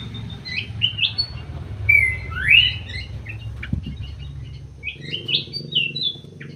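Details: Munia known as emprit sawah uttering scattered high chirps and upslurred tweets, busiest near two and five seconds, over a continuous low rumbling background.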